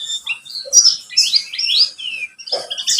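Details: White-eye, buxtomi type, in a lure recording to make other birds call: a short run of thin rising and falling whistles and sweet chirps, with a soft lower buzz near the end.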